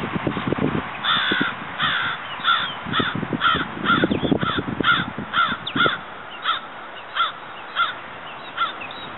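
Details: Two Florida sandhill crane chicks about one week old, running and playing, give short, reedy peeping calls about twice a second. Low thumping and wind buffeting mark the first few seconds.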